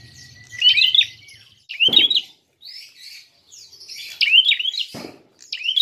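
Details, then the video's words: Fighting prinia calling to provoke rival birds, giving clusters of quick, sharp upslurred chirps in bursts about a second apart, with two brief knocks between them. "Prenjak tarung gacor!!"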